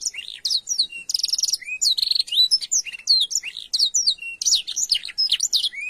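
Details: Isian canary song for training birds, sung in long unbroken phrases: fast buzzy trills, high chirps and swooping whistled notes tumbling together, dense and loud throughout.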